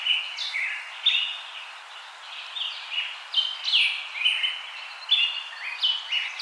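Several birds chirp and sing at once, with quick high notes and short warbling phrases overlapping continuously over a faint hiss.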